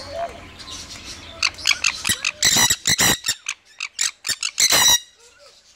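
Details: A red-factor Jenday conure in a threatening posture towards its owner gives a burst of harsh, raspy squawks, about a dozen rapid screeches in three seconds, with a faint low whistle at the end.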